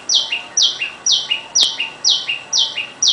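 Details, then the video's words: Loud calling of a tailorbird in a home garden during the day; high bright notes each dropping to a lower tail, repeated evenly about every half second, one brief click in between. "Sounds of the Tailor Bird"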